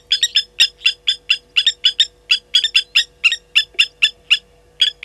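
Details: Agitated Blacksmith lapwings harassing a slender mongoose at a waterhole in Djuma Game Reserve, South Africa, morning: a continuous rapid string of hard, ringing tink notes, loud and evenly spaced, with a low electrical hum beneath.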